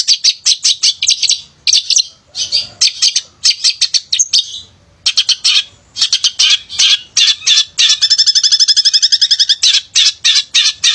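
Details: Vigorous male long-tailed shrike song meant to provoke lazy shrikes: choppy harsh chattering phrases, a short pause, then dense chatter ending in a rapid even trill.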